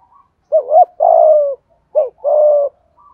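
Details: Full 'giọng thổ' song of a spotted dove, cooing in 'thúc gù' fashion. Two close phrases, each a rolling, wavering coo followed by a sustained, smooth, low coo, with faint soft notes at both ends.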